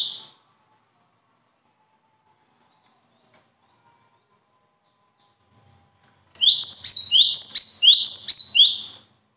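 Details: A single short high note opens, then six seconds of silence, then a bird bursts into a fast, evenly paced series of descending piping notes lasting about three seconds.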